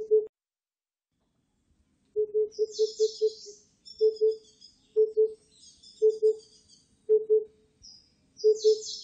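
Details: Low, hollow hoots of an Oriental cuckoo recorded in 2020: a fast run of five notes, then steady doubled hoop-hoop phrases roughly every second, over high chattering from other birds.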